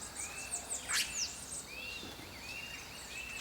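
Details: Red-rumped cacique calls: a series of clear, arched whistled notes, repeated roughly every half second, with very high thin slurred notes above and a brief noisy burst near the start.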